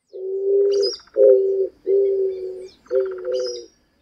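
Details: An Eared Dove in a city sings, repeating low, steady hooting coos, each under a second long; Eared Dove.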